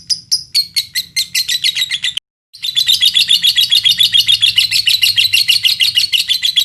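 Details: Lovebird from Indonesia singing a pancingan song to provoke other lovebirds: a few spaced shrill chirps speed up into dense chatter, stop briefly, then restart as a continuous rapid high trill.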